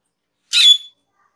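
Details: Cucak keling, a cage bird, recorded as a master track for training other cage birds: a single loud harsh burst with a bright whistled tone through it, lasting under half a second, then silence.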